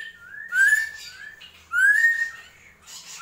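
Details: Drongo, gentolang-style song: long clear whistles gliding gently upward, each followed by softer overtone-rich warbles, with a low faint hum throughout.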